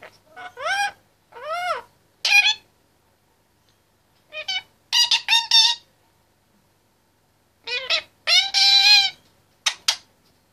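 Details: Caged 25-month-old Indian ringneck parakeet, a chatterbox that talks and sings, giving groups of arched, squeaky, voice-like syllables in short phrases separated by pauses of one to two seconds.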